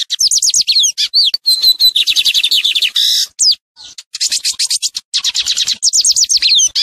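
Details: Tutoring song of a lined seedeater for training young birds: nearly continuous high singing with descending slurred notes, a steady whistled note, quick trills and harsh buzzy bursts, barely pausing.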